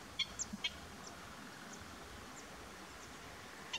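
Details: Common ringed plover (Charadrius hiaticula) call: a quick burst of four short, high whistled notes, then a lone note near the end, over a steady wind-like hiss.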